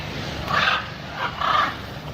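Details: Two short, rough, nasal squawks from a macaw about a second apart, over faint background hum.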